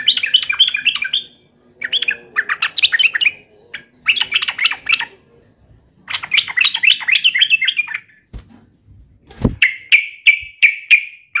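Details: Bulbul, yellow-vented, answering a rival with taunting song: several short bursts of quick gurgling, chattering phrases with pauses between, a sharp knock, then steadier ringing whistled notes at the end.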